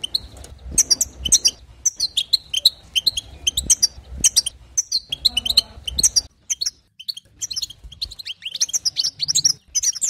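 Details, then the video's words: European goldfinch twittering song used to excite other goldfinches: rapid bursts of high, tinkling chirps and short buzzy notes in phrases, with brief pauses and a thin, dry rhythm. "بتبتات حسون جديده للتهيج نار"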